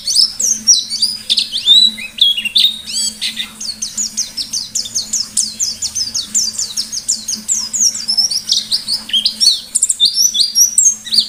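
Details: Pleci white-eye in full ngalas-style song, meant as a lure to set other white-eyes singing. Long, dense run of thin, high, slurred chirps with brief breaks, loudest in bursts, over a steady low background hum.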